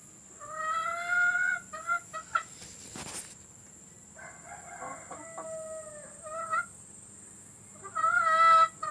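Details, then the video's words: Hen calls recorded to be played for laying hens: drawn, slightly wavering nasal notes in runs of several, a clicking knock partway through, and a final group of bright repeated tones. "Suara pemikat ayam betina agar mau bertelur"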